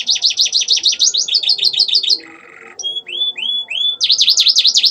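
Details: Canary singing ciblek and ciwah (klik-klik) imitations, used as a master for training birds: loud fast V-shaped whistled notes repeated in a run, a short buzz, three rising clicks, then more rapid sweeping notes.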